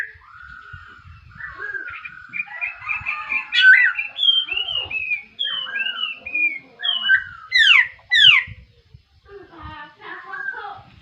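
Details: Laughingthrush morning song: a fast, varied stream of chirps and slurred whistles that builds to loud, sharply rising notes, then ends with softer warbling phrases.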